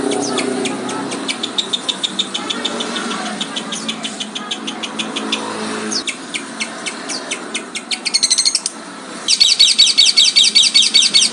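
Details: Lovebird calling to stir other lovebirds to sing and chatter: fast trains of shrill repeated chirps, several per second, switching mid-way to a louder, denser chattering burst, over steady background noise.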